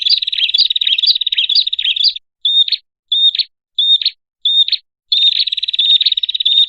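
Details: Prinia lure call used to attract birds: a high, buzzy rapid trill with rising chirped notes for two seconds, then four short whistled notes each ending in a buzz, then the trill again.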